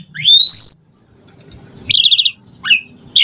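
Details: Asian pied starling song, played to prompt caged birds to sing: a long clear whistle rising steadily, then a burst of rapid buzzy chatter and a short squeaky phrase, with faint low background murmur.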